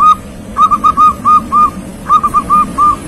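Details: Young local-strain zebra dove singing eagerly, three quick phrases of rounded, whistled coos of equal pitch, the notes tightly grouped with short gaps between phrases, over a faint low hum.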